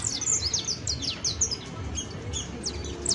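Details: Singing saffron finch, locally canario basto, giving a dense run of high slurred and descending chirps, some rising then falling, closely packed, against a low background rumble.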